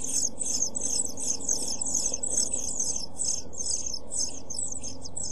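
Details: Brood of seven-day-old European pied flycatcher chicks in a nest box, recorded by a nest box camera on 23 June 2012, giving dense, thin, high-pitched chirps in quick ragged runs over a low droning background.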